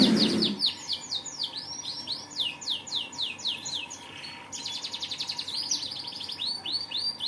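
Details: Energetic canary song: bright downswept chips repeated rapidly, a brief pause, then rolling buzzy trills and more sweeping notes, with a short low thump at the start.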